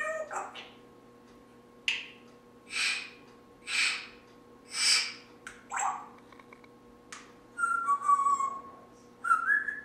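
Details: A Timneh parrot talking, a small bird that chatters on: a run of short, breathy, speech-like syllables roughly once a second, ending with a few clear whistled notes, over a steady faint hum.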